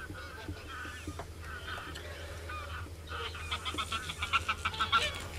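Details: Common cranes calling, with moderate trumpeting notes at first, then a busier stretch of quick, overlapping calls from several birds.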